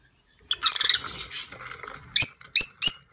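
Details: Budgerigars during a nest inspection, where a nervous first-time breeding female tries to protect her chicks: a burst of raspy, warbling chatter, then three sharp, harsh high squawks about a third of a second apart.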